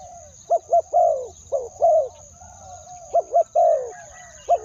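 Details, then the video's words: Spotted dove used as a decoy, calling to draw in wild doves with a two-word coo; mellow low coos come in quick clusters of short and drawn-out notes, with a faint constant high whine behind. "เสียงนกเขาใหญ่ ต่อ ขันเรียก คูอ่าง 2คำ"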